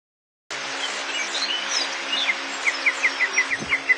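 A Crested Bunting gives a quick run of about nine sharp, down-slurred chips, several per second, over a steady background hiss.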